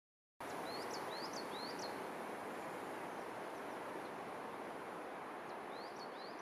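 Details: A house sparrow in Cornimont, Vosges, France, on 4 February 2021 gives short, high, upslurred chirps, three close together, then two more after a pause, over a steady roar of wind or distant traffic.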